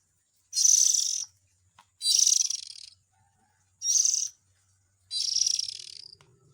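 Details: Chick calls of the white-rumped shama, played to attract adults: four broad, harsh, sibilant bursts of about 0.6 to 0.9 seconds, roughly one per second and a half, over a quiet background.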